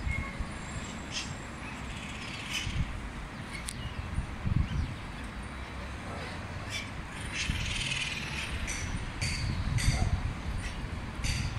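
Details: A flock of parrots flying over a park in Salamanca, Ate, Lima, Peru, on 31 August 2022: scattered harsh screeches, several per second in places, with people talking and passing traffic behind.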